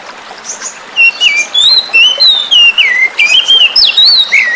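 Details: Lure song of a wild-caught oriental magpie-robin, played with flowing water to stimulate singing; after a quiet second, a continuous stream of rich, swooping whistled notes, loud and fast, with brief gaps between phrases.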